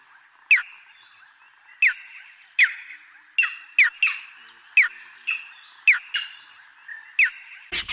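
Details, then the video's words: A striated heron (Butorides striata) gives sharp, clipped calls, about one every second, over a steady high insect hum. "HERON BIRD|SOUND/ CALL"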